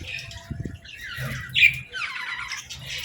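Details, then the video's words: Young budgies playing and talking: sliding, squawky chirps rising and falling, one sharper squawk standing out, with quiet tapping in the background. "Baby Budgies Playing & Talking 🐣🎶 | Fun Chirping Sounds"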